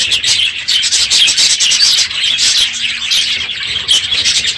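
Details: Crowded aviary of budgerigars, noisy one morning near the close of the breeding season, giving a steady wall of shrill chirping and scratchy warbles from many birds at once.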